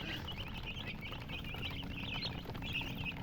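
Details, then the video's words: Baby chicks, colored, giving a short burst of high chirps. The thin, quick peeps come in clusters and ride over a low droning background. "silly chicken chirping sounds with murgi hen color chicken"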